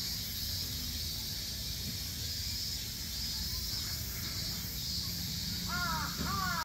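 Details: Hyacinth macaw (Anodorhynchus hyacinthinus) at Chiba Zoological Park on 4 September 2022, giving two harsh, rasping squawks near the end, each dipping in pitch, over steady background hiss and low rumble.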